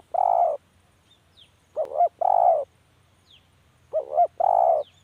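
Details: Spotted dove giving repeated cooing phrases, each a quick two-part coo and then a drawn-out, even croo, about every two seconds; brief faint high chirps from another bird between phrases.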